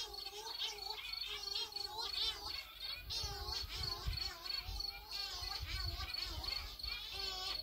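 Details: Cory's shearwaters (Calonectris borealis, Cagarro) at night on Flores Island, Azores, July 2020, returning to land from the ocean: wavering, nasal wailing calls, several overlapping, over a steady high cricket trill and low wind or surf rumbles.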